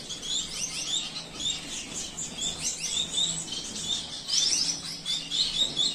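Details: A lutino Gouldian finch pair during courtship display in an aviary; high, thin twittering and hissy chirps run steadily throughout, like several small finches calling together.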